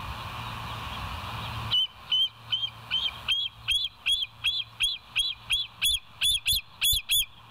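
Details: Bald eagle chatter from a live nature cam on 28 August 2023 at 07:02: a long, insistent run of high piping chirps, roughly three per second, becoming louder and shriller toward the close.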